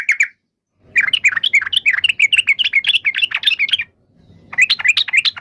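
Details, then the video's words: Yellow-vented bulbul singing: a brief chattering phrase, a pause, then a three-second run of rapid, bubbly, warbled notes that climb and dip, followed by another quick burst after a short silence; faint low rumble underneath. "SUARA BURUNG TRUCUKAN"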